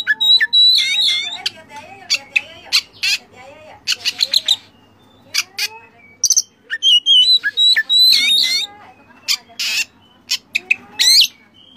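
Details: Oriental magpie-robin training recording packed with fill-in phrases for caged birds: rapid series of high whistles, clicks and sharp notes, bursts of chatter alternating with brief pauses, varied and energetic throughout.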